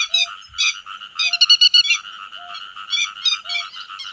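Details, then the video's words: Flock-gathering call of a grey-headed lapwing: loud clusters of shrill, rapidly repeated notes over continuous softer chatter, with a faint short beep recurring about every second. "Tiếng Chim Te Vàng Gọi Bầy"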